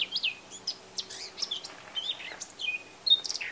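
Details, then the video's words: A male Eurasian blackcap sings in Bavaria, Germany, recorded in late spring or early summer: loud, hurried warbling of clear whistled notes, slurred chirps and sharp twitters, tumbling quickly in pitch, delivered in a continuous, lively stream. "Mönchsgrasmücke mit Gesang - Eurasian Blackcap singing"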